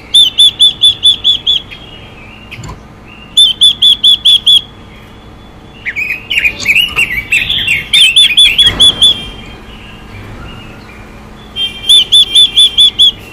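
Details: Chinese hwamei female calling to provoke males, giving bursts of bright ringing whistles repeated in quick series of six to eight, separated by a tangle of harsher scratchy warbling in the middle.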